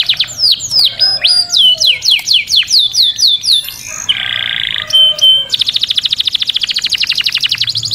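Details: Vigorous canary song: repeated downslurred whistled notes, a short harsh buzz, two sharp clipped notes, then a rapid, even trill of high pulses.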